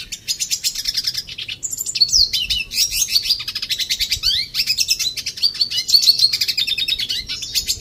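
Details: Red siskin kept in an aviary, delivering a rapid, nearly unbroken high-pitched twittering song of quick chattering notes, buzzy trills and short sweeping whistles, sustained across about eight seconds with only brief pauses.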